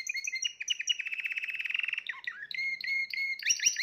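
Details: Spanish Timbrado canary, third of its 2020 birds, delivering a fast even rattle-like trill, a brief dip, then sustained whistled tones and rising slurs.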